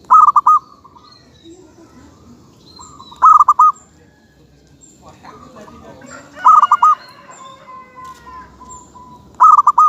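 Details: Local zebra dove (kutut lokal) singing: a clear cooing phrase of quick rolling notes repeated about every three seconds, four phrases in all, with a faint long whistle and soft background hiss between them.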